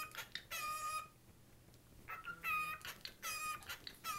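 A cockatiel chatters in short, harmonic bursts of speech-like, slightly warbling syllables.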